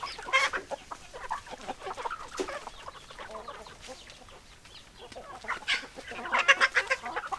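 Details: Chickens clucking in a busy flock, rapid short clucks with louder bursts of excited cackling at the start and again toward the end.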